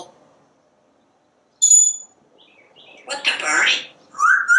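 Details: Pet parrot talking nonstop while watching squirrels and birds from a screened back porch: a bright high whistle, then a burst of harsh speech-like chatter and a rising whistled note.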